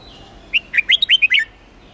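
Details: Hue-type red-whiskered bulbul's contest-training song to rouse wild-caught birds: a brisk string of seven or eight warbled, up-and-down whistles lasting under a second, faint hum beneath.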